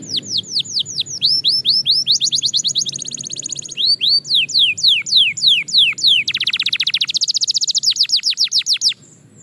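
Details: Belgian canary singing for daily training practice, fast tempo: varied phrases of falling whistled sweeps, quick high trills and a dense rattling burst, delivered in rapid succession for several seconds before stopping.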